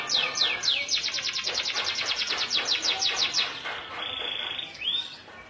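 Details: Local canary in lively song: a few sweeping notes open a fast, bright rattling trill lasting several seconds, followed by a sustained high whistle and a rising slurred note.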